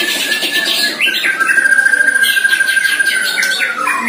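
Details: A one-year-old caged white-rumped shama in its first training bout against a neighbour's shama: loud varied phrases with a long steady whistled note held over two seconds, broken by rapid chattering trills.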